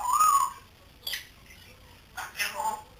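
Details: Pet grey parrot chick of three months, learning to talk, whistles a steady arched note, then gives two rough squawks separated by a second of quiet.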